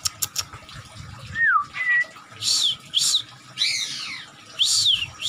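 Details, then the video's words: Excited oriental magpie-robin with fanned tail, in attacking mood, sings separated phrases: a clear falling whistle, a short level whistle, then loud scratchy slurred notes and arched whistles with pauses between. "Burung Kacer Buka ekor, penuh emosi, Nyerang"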